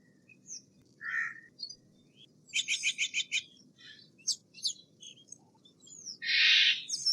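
A Steller's jay gives a medley of short chirps, a quick burst of about six sharp repeated notes, then a harsh rasping scream near the end.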